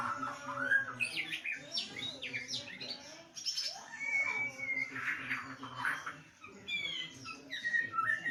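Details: Kept white-rumped shama singing during lockdown, a varied run of clear whistled phrases, slurred rising and falling notes and short chirpy bursts, shifting pattern every second or so, with a low background hum.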